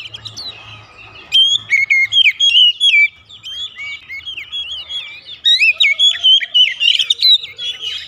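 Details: Oriental magpie-robin lure song to stir home-kept birds: quiet start with low hum, then two vigorous bursts of rapid, clear whistles mixing rising sweeps, slurred notes and short trills.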